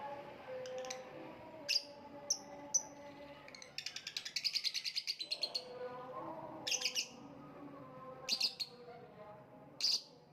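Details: Lovebird with isolated sharp chirps, then a rapid rattling run of short clicking notes, followed by more spaced, high, piercing single and double chirps, against low tonal background hum.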